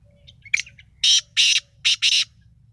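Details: Black francolin of the Sindhi type giving its spirited 'masti' call: a few thin short notes, then four loud, harsh, rasping bursts in two quick pairs within about a second, over a low rumble of background noise.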